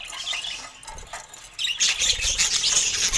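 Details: Softer warbling from pet budgerigars with colour mutations suddenly swells into loud, dense chatter full of squeaks and rapid clicks.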